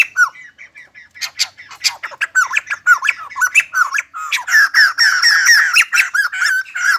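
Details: White-crested laughingthrush singing as it dances: scattered sharp notes that thicken into a dense, fast chatter of squawky, slurred syllables.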